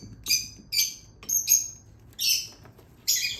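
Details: Lutino Fischer's lovebird chick calling while hand-fed: five harsh, high, raspy begging notes at uneven intervals, some with a thin whistled tone on top, over low background hum.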